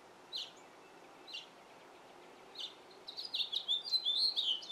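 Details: Male house finch in a yard: three spaced single chirps about a second apart, then a fast, run-together warble of twittering, slurred notes building to the end.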